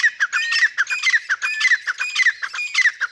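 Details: Grey francolin pair, teetar, in a fast run of shrill, squeaky, down-slurred notes repeated several times a second, rhythmic and harsh throughout.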